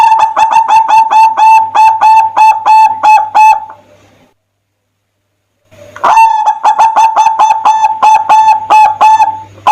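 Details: Zebra dove song, used as a lure to get other doves singing: fast runs of short, clipped cooing notes on one steady pitch, a brief silence midway, then another long rapid burst.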